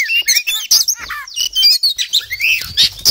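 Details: Energetic ngobra song of an Oriental magpie-robin (kacer poci) rich in mimicked isian phrases: tumbling high whistles, downward slurs and buzzy chirps delivered in quick bursts, several per second.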